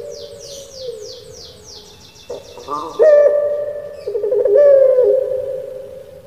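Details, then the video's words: Kept puter pelung Barbary dove from Java giving a crying-style coo, a loud drawn note with a wavering fall in the second half, preceded by a small bird's rapid descending high chirps and a faint earlier coo. "𝙋𝙪𝙩𝙚𝙧 𝙋𝙚𝙡𝙪𝙣𝙜 𝙎𝙪𝙖𝙧𝙖 𝙈𝙀𝙉𝘼𝙉𝙂𝙄𝙎"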